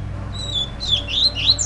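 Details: Fledgling double-collared seedeater calling to be fed: thin, high whistled notes sliding up and down, over a steady low hum.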